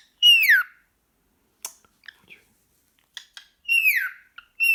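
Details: Excited pet male cockatiel reacting to a sock indoors, giving two loud, falling whistled calls with softer chirps and clicks in between.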